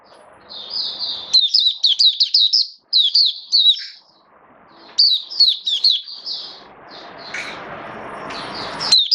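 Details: White-eye, caged hobby bird, 19 September 2022, in build-up singing form: quick high twittering bursts of rapid slurred notes with pauses, over a soft background hiss that swells near the end.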